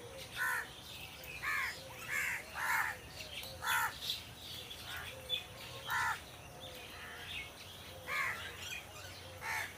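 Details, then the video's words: Crows in trees giving hoarse, grating caws, short bursts repeated about every one to two seconds with brief pauses between, some calls doubled, against a low constant hum of outdoor noise. "Crow Sound Crow Ki Awaj"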